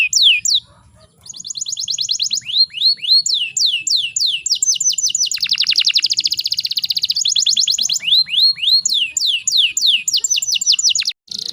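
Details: Breeding-condition female canary, used to trigger male song, delivers long runs of quick high descending sweeps merging into a dense rattling trill, with short pauses near start and end.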